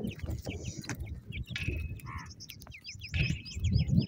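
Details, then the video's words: Iranian partridge chicks calling for their mother: rapid series of short, high, downslurred chirps, sometimes overlapping, with a brief lower tonal call in the middle and faint background rustling. "pritridge bird chicks calling his mother"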